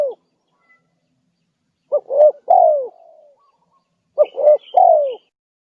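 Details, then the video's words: Spotted dove lure recording used to attract wild doves: two cooing phrases, each two short hoots followed by a drawn-out descending coo, with faint high twittering of small birds. "Suara pikat~burung tekukur gacor"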